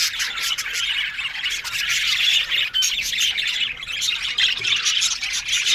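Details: Aviary colony of Australian budgerigars producing an unbroken wall of high, grating warbles and chirps from many birds at once, fairly even in loudness.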